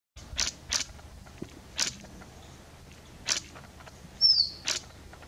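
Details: Gould's shortwing (Brachypteryx stellata) in the Himalayan range gives five sharp, high ticking notes at uneven intervals, with one thin, high whistle near the end, over a faint background hiss.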